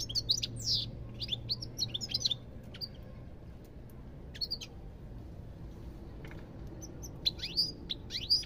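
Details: Goldfinch giving short bursts of bright twittering and sharp rising chirps, separated by quieter gaps, with a soft low hum in the background.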